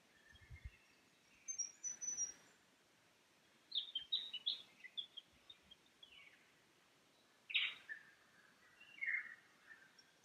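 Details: Lyrebird in the Cathedral Ranges on a Sunday morning below the Farmyard campsite, with streams nearby: clustered sharp whistled notes and descending slurs in several bursts, some loud clicks, over a steady hiss of running water.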